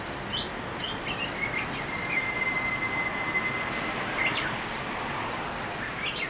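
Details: Japanese bush warbler giving its first song of the year on 15 March 2014 at a home in Japan, singing unseen from a tall loquat tree: a long, steady held whistle, then a brief quick flourish, over a constant outdoor hiss.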